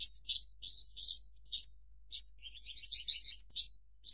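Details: A Javan bush lark (branjangan) sings buzzy high phrases broken by pauses, with a quick run of rattling doubled notes in the middle.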